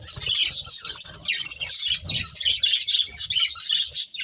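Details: Several colourful budgerigars chirp while eating: dense, continuous twittering and chattering chirps, bright and scratchy, overlapping with no pauses, with soft low thumps beneath, probably from feeding.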